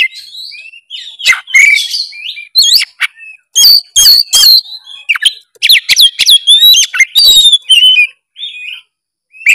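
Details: Full narung-style oriental magpie-robin song for getting a quiet bird to sing. Loud, varied phrases of sharp whistles, upslurs and chattering notes come in quick bursts separated by brief pauses.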